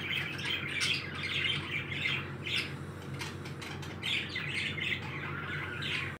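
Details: Pet parakeets, described as happy, chattering with dense squawky chirps around two to four thousand cycles, bursts overlapping almost continuously with brief quieter gaps, over a steady low indoor hum.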